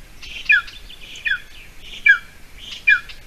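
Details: Golden eagle at a nest on a bog island in Latvia, 28 June 2020 at 8:46 a.m., as a mouse is delivered: four thin, falling whistles spaced about three-quarters of a second apart, each preceded by a soft breathy note.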